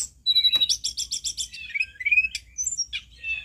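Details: A mountain bulbul (tledekan gunung) sings loudly, used as a lure to set other bulbuls singing: a thin high whistle, a quick run of five bright chirps, then sliding slurred notes ending in a sharp high whistle.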